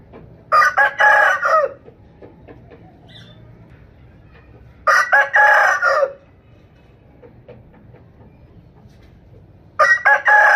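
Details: Rooster crowing three times, each a loud harsh cock-a-doodle-doo lasting over a second with a few stuttering opening notes, spaced about five seconds apart. The last crow is cut off at the end. A quiet background lies between the calls.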